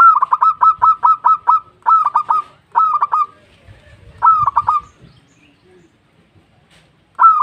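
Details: Local zebra dove calling its companions with bursts of quick staccato notes, each burst of four to eight notes, repeated after short gaps against a quiet background.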